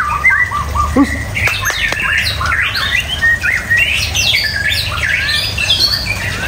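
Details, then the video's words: White-rumped shama, apparently caged, singing a varied run of loud slurred whistles and rapid chattering notes jumping between mid and high pitches, with a steady low hum beneath. "Menikmati Kicauan Murai Batu"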